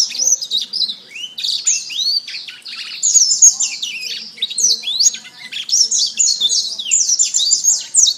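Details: Canary master song for training songbirds: long, rapid run of high, sweeping whistled notes and buzzy trills, almost without pause.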